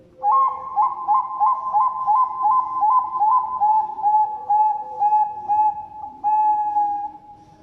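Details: Local or Bangkok-type zebra dove in full song, used as a lure: a quick rolling series of bubbly coo notes that gradually slow into longer, evenly spaced sustained coos, with a faint low background hum.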